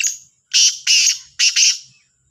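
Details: Morning call of a black francolin, the Kala Sindhi teetar, labelled Sahiwal, 18 September 2022. Loud rasping, scratchy notes come in quick pairs with short gaps, a grating broken phrase on a quiet background.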